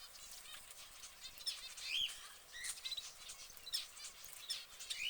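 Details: Orange canary in its cage making rapid high chirps and short twittering notes, with a few brighter piercing peeps scattered through, against soft background noise.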